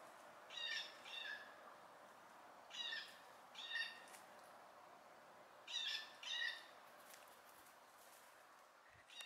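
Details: Young fledgling blue jays foraging; harsh buzzy calls come in pairs, three pairs spaced roughly three seconds apart, each note short and nasal with layered overtones, with soft background noise between.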